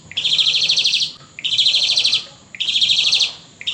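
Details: Pumping-style song of an Asian pied starling, 4 April 2018: three loud grating, rapidly pulsed bursts, each starting with a short upward note, separated by brief pauses.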